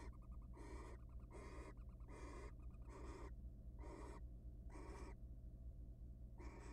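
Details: At a research nest box before egg laying, wild barn owls mate. Seven breathy, rasping screeches come at irregular intervals, with faint quick ticking notes between the first few, all over a constant low hum.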